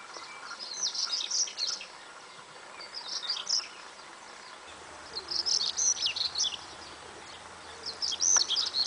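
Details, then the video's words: An African stonechat (Saxicola torquatus) sings short, scratchy, high twittering phrases, about four bursts spaced a couple of seconds apart, over a steady background hiss. "Conchemoro, càntigu - Saxicola torquatus - African stonechat - Saltimpalo"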